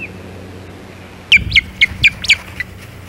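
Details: Osprey at the Hog Island nest on 15 April 2022, calling while chasing off an intruding look-alike osprey: a burst of six sharp, high, slurred chirps in quick succession, roughly two per second, over quiet background hum.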